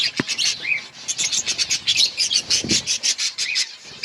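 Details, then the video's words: Colony of budgerigars kept outdoors, chattering together in fast, rhythmic bursts of high chirps about twice a second, with a few rising whistled notes and an occasional low thump. "Budgies birds chirping sounds in outdoor colony"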